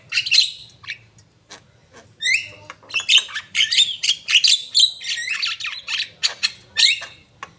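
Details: Javan myna singing energetically in gacor style: an opening harsh squawk, a pause, then a dense run of grating chatters, buzzy rasps and short whistled slurs delivered in quick, irregular bursts.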